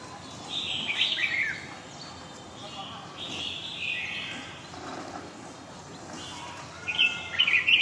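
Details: Red-whiskered bulbul song in the Hue long-voiced style: loud whistled warbling phrases with quick slurred notes at the start and end, quieter whistles between, and faint lower background sounds.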